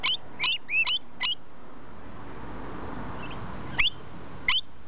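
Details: Rainbow lorikeets perched in a tree: a rapid burst of four piercing, grating screeches, a pause, then two more single shrieks, above a soft hiss.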